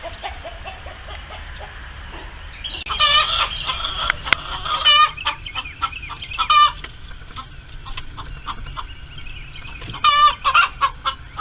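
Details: Screaming chickens in a barnyard coop while trying to lay eggs: steady background clucking broken by several loud, harsh, wavering screams with strongly ringing harmonics, spaced a few seconds apart.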